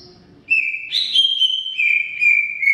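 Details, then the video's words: Greater green leafbird in long, lively song: loud clear whistles begin abruptly, leap to a higher note, then glide back down through sustained, slightly wavering tones. "Suara Kicau CUCAK IJO Gacor Panjang Khusus Untuk Cucak IJO Yang mogok NGOCEH"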